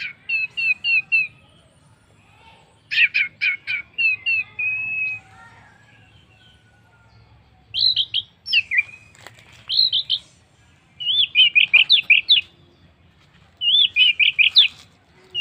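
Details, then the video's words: Orange-headed thrush song played as a lure to make other birds join in. The song is a long, varied sequence of sweet whistled phrases with rapid repeated trilled notes. Each phrase is delivered in bursts, with short pauses between them. "pancingan Anis merah paling ampuh bikin burung lain ikut bunyi"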